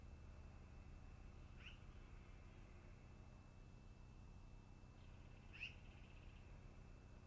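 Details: Long-eared owl at its nest, recorded 10 August 2018 around 13:32–14:32, giving two thin, squeaky, rising calls about four seconds apart over a steady high hum and low background rumble.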